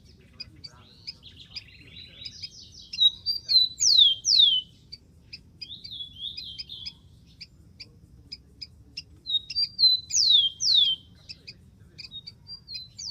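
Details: Repeated song of a rufous-collared sparrow in the wild: a short buzzy trill and sweeping descending whistles, given twice about six seconds apart, with thin chips between.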